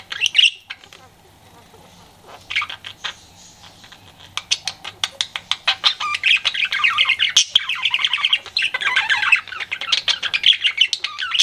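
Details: Pet budgerigar flirting: a sharp opening squawk, then a pause, then a steady stream of fast clicks that builds into continuous buzzy, chattering warble, busy and rapidly changing, lasting several seconds.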